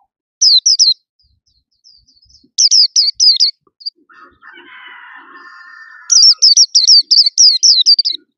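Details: Hand-held caged white-eye giving a bold, bright song with many syllables, including swallow-like and sparrow-like phrases: short high rapid bursts, a lower buzzy harmonic sound mid-clip, then a sustained string of fast chirping notes.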